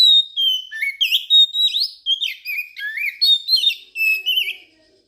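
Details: Oriental magpie-robin lure song, played to coax quiet magpie-robins into singing and to attract birds for trapping: a rapid, varied run of sweet whistles, upslurs and downslurs, with short buzzy notes between, in a quiet background.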